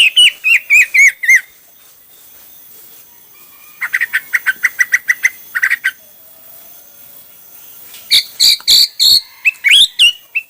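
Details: Hwamei song with varied styles: a brisk whistled run, then a rapid stutter of short clipped notes, a pause, and a loud series of ringing whistles.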